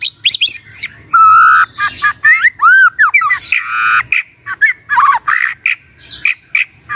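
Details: Morning magpie-robin song meant to prompt a silent bird to reply: a loud, varied stream of whistles, arched notes and harsh squawky phrases, changing rapidly with almost no gaps.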